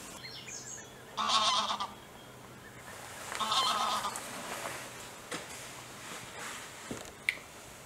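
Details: Bewick's swan wintering in the UK at a wetland reserve, migrant from the Russian Arctic tundra; two soft, nasal honking calls about two seconds apart, with a faint background murmur and a brief click near the end.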